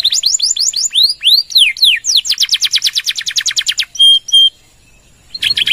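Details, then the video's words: Canary in 'gacor' full song, a model for training other birds. Swooping downward-slurred whistles lead into a fast, evenly pulsed high trill, then two clear sustained whistles, a brief pause and a final burst. "Suara Kenari Gacor | Full Nembak Panjang!!"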